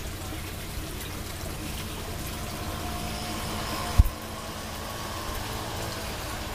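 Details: A low, steady vehicle engine idles throughout, broken once by a single sharp knock midway; no animal voices.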